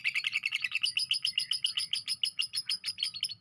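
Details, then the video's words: Rapid shrill ngekek chatter of a lovebird, recorded as isian tembakan kores material for teaching other birds, with evenly spaced high pulses repeating quickly throughout and a faint low hum beneath. "lb ngekek isian tembakan kores"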